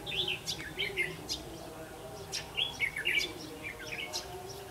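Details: Red-whiskered bulbul recorded at a trapping site on 8 October 2016: short, bright whistled phrases with quick rising and falling warbles, loud bursts every second or so, other chirps overlapping and a steady low background hum.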